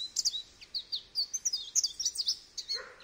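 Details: Bright, tinkling goldfinch twitter, quick slurred high notes strung together, ending with a brief rough buzz.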